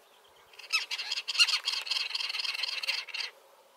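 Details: Great spotted cuckoos, two on a bush and just arrived in the Iberian Peninsula, give a harsh, rasping chatter of rapid high notes that runs unbroken for nearly three seconds, then stops abruptly.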